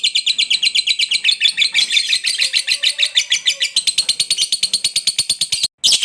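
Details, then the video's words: Lovebird's long chattering 'ngekek' song, used as a masteran prompt to set other birds singing: shrill, buzzy, rapid notes at about three per second, run together for six seconds before a brief break near the end. "Masteran Love Bird ngekek Panjang || pancingan ngekek langsung gacor"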